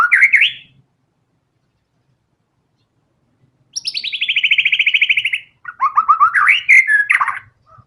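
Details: Murai batu, the white-rumped shama, singing gacor tembakan bursts: a rising whistled slur, a pause, then a long fast buzzy trill of repeated notes, followed by jumbled whistles that swoop up and down.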